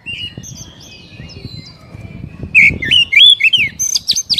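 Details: Oriental magpie-robin song for stimulating a caged bird to sing: faint whistles over low background rumble, then a loud run of looping warbled notes and high chirps in the last two seconds.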